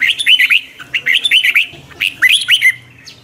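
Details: Red-whiskered bulbul singing during morning training, a twisting voice for lure use; three tight clusters of bright, curling whistled notes follow each other quickly.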